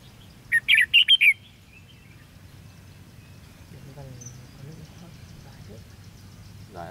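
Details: Competitive song of a red-whiskered bulbul during fight-style trapping, 13 February 2016: a short, lively string of five chirpy, whistled notes, then long quiet with faint murmured speech and a distant clap.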